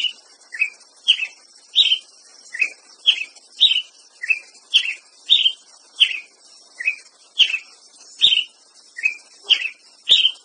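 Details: Ruby-crowned Tanager delivering a sustained run of around nineteen quick, bright chirps, about two per second, varying a little in pitch from note to note, with steady faint background hiss.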